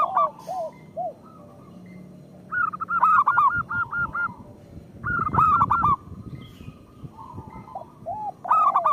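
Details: Actively singing local zebra dove, a lure song meant to prompt other zebra doves to sing: rapid runs of five or six clipped, ringing coos, then a pause, with soft low cooing and some rustling background noise.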